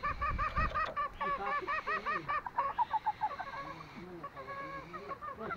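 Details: Green junglefowl from Lombok. Rapid runs of harmonic, arched nasal notes, several birds calling over one another, then lower, drawn-out notes after a brief pause, with a low background murmur.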